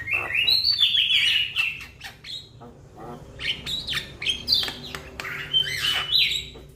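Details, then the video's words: Young Javan myna calling to its companions: a dense run of harsh, scratchy squawks mixed with high whistled slurs and clicks, loudest over the first two seconds, then bursts again after a short pause. "Jalak kebo Muda Memanggil Kawan Suara Asli Jalak Kebo"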